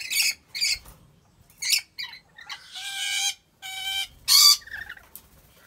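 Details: Captive rainbow lorikeet at Gurun Putih Lestari animal park, Aceh Besar, Indonesia, giving harsh, grating screeches mixed with a few nasal, ringing squawks, in short bursts with brief pauses.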